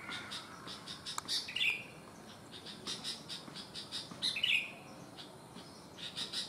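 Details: A sooty-headed bulbul, one leg abnormal, sings as keenly as any healthy bird: rapid ticking chirps lead into two bright, gurgling phrases roughly three seconds apart, with more scattered chirps between and after.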